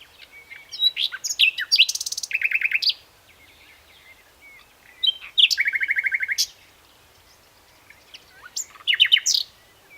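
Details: Common nightingale song in three phrases a few seconds apart. Each mixes sharp whistles and clicks and leads into a loud, even, machine-gun run of repeated notes lasting about a second.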